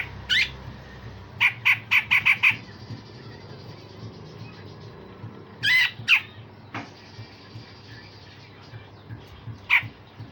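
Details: Grey-cheeked bulbul with harsh rasping and sharp 'tembakan' bursts, used to train songbirds: a quick run of five clipped harsh notes, then scattered single raspy notes and squawks with pauses between.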